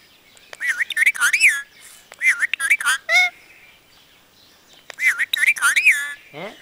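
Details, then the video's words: Parrot mimicking Punjabi speech in three phrases of wavering, harmonic syllables with rising-falling inflections, separated by quiet gaps, ending in a short downward-sliding note. "Talking Parrot"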